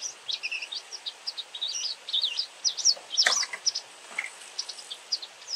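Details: White wagtail calling very often: rapid high twittering chirps, short slurred and buzzy notes in quick succession throughout, with a sharp click near the middle and faint background hiss.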